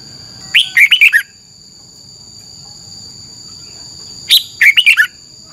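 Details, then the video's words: Thai cage-kept Red-whiskered bulbul delivering double-style song meant for phrase-count training: two rapid, lively phrases of five or six warbled notes separated by nearly four seconds of quiet, with a steady high background tone. "ฝึกนกกรงหัวจุกคึก เสียงดีมาก เต็ม - ฝึกร้องเพลงร้อง"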